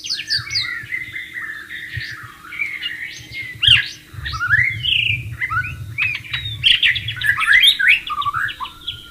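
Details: White-rumped shama in the wild alongside flowing water, singing varied swooping whistles, sharp upward-slurred notes and buzzy fragments, with a noticeable low rushing water background.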